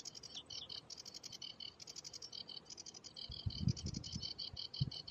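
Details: Sedge warbler (Acrocephalus schoenobaenus) singing on Sylt in June 2023: a fast, scratchy, unbroken stream of high chattering notes and short rattles, with gusts of low wind rumble in the second half.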